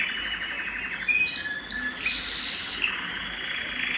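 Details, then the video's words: Canary song meant to excite females for breeding. Soft rolling warbles and a few brief high notes play over a steady hiss. "صوت الكناري الاصلي ( صوت جبار يحفز الذكر ويهيج الأنثى للتزاوج )"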